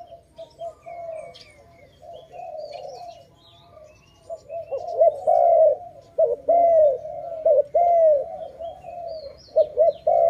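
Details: Dove calling loudly at a trapping site: soft, faint cooing at first, then strong, clear coos, each arching and falling in pitch, delivered in quick pairs and triplets, with light chirps of other birds behind.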